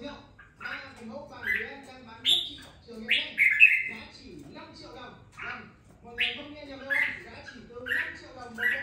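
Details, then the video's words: Red-whiskered bulbul, a caged bird raised for two weeks after being bought, singing spirited chirpy phrases of slurred whistles in irregular bursts, with faint low murmuring noise underneath. "Đánh liều mua con chào mào chỉ chọn bóng bộ ,sau 2 tuần nuôi dưỡng em nó đã ra giọng có chút lửa"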